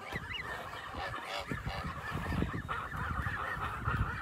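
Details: A group of Kholmogory goose babies on a farm, recorded 27 May 2020, giving thin wavering peeps in quick succession. Constant low thumping and rustling noise runs beneath the chorus.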